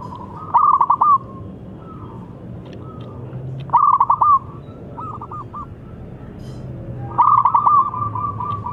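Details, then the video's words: Three strong rolling coo phrases, roughly every three and a half seconds, from a young local zebra dove with a big voice used to stimulate other birds, with quieter coos between and a low steady hum. "ANAK PERKUTUT LOKAL GACOR SUARA BESAR YANG COCOK BUAT PANCINGAN"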